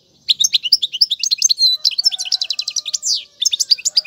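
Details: European goldfinch song for tutoring young birds, with styles such as mandolin and casta casta. Fast tinkling twitters, a stuttering trill and held buzzy notes, with faint low steady tones underneath.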